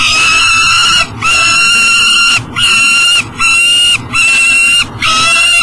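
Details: Loud, strained wails from a peregrine falcon that cannot get into its nest box with breakfast at 7 am, Elk River, Minnesota, near the Mississippi; each call holds steady for about a second, six in a row.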